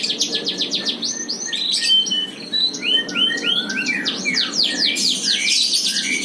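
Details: F1 Yorkshire canary, breeding stock praised for a clear, loud voice, in long persistent song: rapid trills and upswept whistled notes tumbling quickly, with rolling phrases and bright high chirps throughout.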